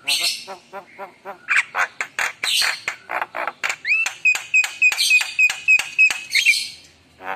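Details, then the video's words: Javan myna in full active song: wavering nasal notes, harsh squawks, then a clear whistle repeated about four times a second amid buzzy chatter, ending in a grating burst. "Suara Jalak Kebo Gacor Penuh Isian Mewah"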